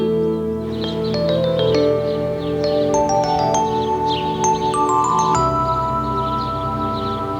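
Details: Gentle instrumental music with bright chiming mallet notes over sustained tones, shifting to a lower drone partway through; no animal voices.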